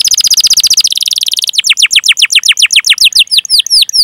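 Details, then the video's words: Canary in a long rolling chirp recording meant to prompt young, untrained or silent canaries to sing: a fast buzzy trill of high notes, then repeated downward-sweeping whistled chirps at about four per second. "Masteran Suara Burung Kenari Gacor Panjang cuit cuit Ngerol untuk Pancingan Kenari!"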